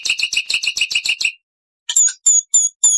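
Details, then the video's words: Loud, clear singing of a black-winged starling with varied long and short phrases: a fast chattering run stops abruptly, then after a pause come four sharp, harsh, high-pitched notes. "MASTERAN JALAK PUTIH GACOR FULL ISIAN"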